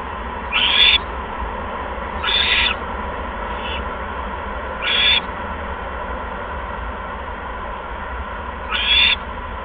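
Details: Owl at its nest after bringing a second mouse, 16 February 2015, 8:38 PM; scattered short hoarse screeches, three close together early, then one faint, then a pause before a last one, over a low hum.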